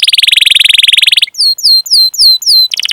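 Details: Canary song used as a training recording to draw song from young, undeveloped or silent canaries; a fast, even rolling trill for over a second, then five clear down-slurred whistles, then the roll resumes.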